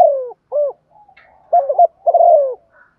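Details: Decoy spotted dove cooing in the morning to call wild doves; a falling drawn-out coo, a short hoot, then a phrase of quick mellow notes and a long sliding coo, with faint soft murmurs in between.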